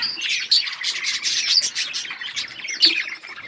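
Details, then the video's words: Budgerigars chatter in overlapping high, scratchy chirps and buzzy warbles, a few sharper squeaky notes standing out above the continuous flock sound. "Budgies parrot beautiful colour budgies chirping sounds"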